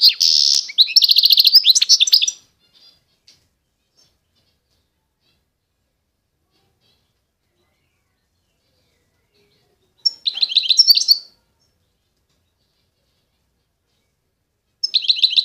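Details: Eastern Algerian goldfinch of the authentic Constantine strain gives a buzzy, jangling twittered phrase. Long silences follow, broken by two shorter bursts of bright high chirping.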